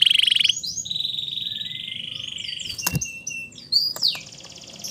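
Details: Canary song used as a lure to stimulate canaries that have stopped singing or sing lazily, and as a tutor for young canaries aged two to four months. It opens with a fast buzzy trill, then a long steady whistled note, a few sharp clicks, and high rising chirps.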